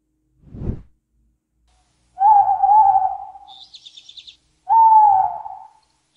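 An owl gives two long, smooth mid-pitched hoots, each about a second and falling slightly at the end. A dull knock comes first, and a faint high chirp falls between the hoots.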